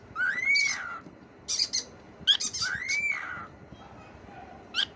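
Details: Talking cockatiel repeating a pattern of an arched, rising-then-falling whistle and bursts of raspy, squeaky syllables, the whistle sounding twice, ending with a brief sharp squeak.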